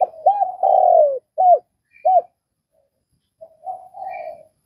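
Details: Vietnamese spotted dove giving a loud drawn-out coo followed by two short arched hoots, then softer murmuring notes, over faint distant bird chirps.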